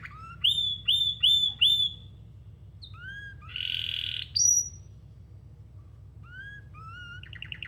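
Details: Canary song opening with four quick upslurred whistles in a row, then a buzzy burst, a clear high note, and later rising whistles leading into a short rapid trill, with quiet gaps between.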